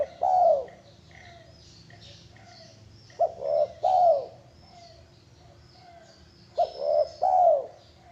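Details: Zebra dove repeating its gentle cooing phrase about every three seconds. Short staccato notes run into a longer rounded, rolling coo, with faint higher chirps from other birds behind.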